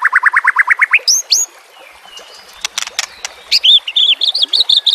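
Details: White-rumped shama song for training caged birds, with background water: a quick series of rising notes, a pair of high upslurs, a brief quiet stretch with clicks, then a rapid run of high chirps.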